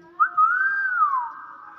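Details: Indoor hill myna, kept as a talking pet, giving a single smooth whistle that swells upward, arches, and falls into a steady trailing tone.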